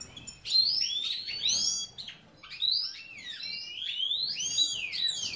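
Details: Caged breeding European goldfinch, subspecies major, in Ioannina, Greece, sings a rapid, continuous run of liquid twittering phrases and quick up-and-down slurred notes, dense and bright almost throughout.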